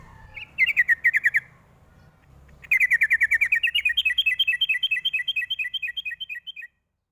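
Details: Sooty-headed bulbul lure call aimed at young birds: a short burst of bubbly notes, then a long unbroken run of quick chirps that climbs higher midway and fades at the end.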